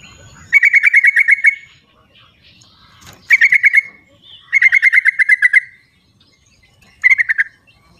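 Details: Yellow-vented bulbuls answering each other in the wild, used as a lure for silent birds. Four bursts of fast, bouncing notes follow each other over about seven seconds, with a few soft chirps between them.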